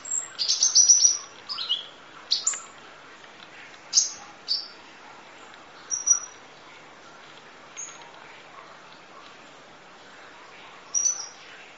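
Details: Sunbird song used as training audio, full-fill rapid 'nembak' style: thin, very high chirps and short descending whistled sweeps, bursts spaced irregularly with quiet gaps between.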